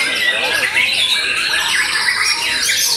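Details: White-rumped shama after moult singing a fast medley of bright whistles and rattling trills, with soft lower warbled notes running underneath the high, dense phrases.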